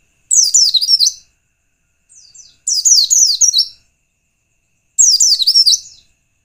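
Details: White-eye singing as a lure to provoke rival white-eyes, three bursts of fast, high, tumbling twitters about two seconds apart, each near a second long, with a faint softer phrase between.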